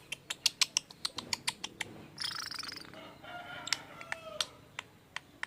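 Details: Lovebird making strange sounds, said to imitate human speech: a run of sharp clicks, then a harsh, buzzy burst of chatter and several drawn-out tonal notes, with more scattered clicks at the end.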